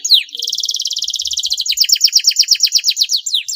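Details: Canary in full, rich song used as a prompt for reluctant singers: a fast high rattle gives way to a regular series of bright chirps repeated about seven times per second.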